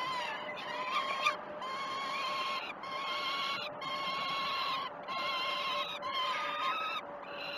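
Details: Peregrine falcon nestlings at Great Spirit Bluff, 12 June 2018, begging at a feeding: drawn-out, rasping harmonic wails in long overlapping bursts separated by short gaps, with a faint constant tone behind.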